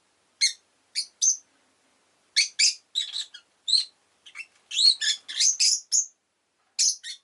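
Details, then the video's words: Rosy-faced lovebird chirping busily, shrill, squeaky notes in quick irregular runs, a few single calls and then a dense chattering sequence near the end. "Lovebird Chirping Sounds"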